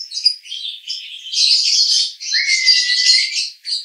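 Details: Konslet 'roda gila' song of a male lovebird, Cibinong, Bogor: dense, harsh, high twittering in two long sustained bursts, the second joined near its end by a low, slightly rising whistled note.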